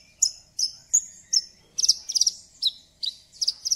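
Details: Song of a Javan bush lark played to coax a bird that has stopped singing: sharp high chirps every few tenths of a second, growing into doubled and tripled trilled phrases, with faint low background hum.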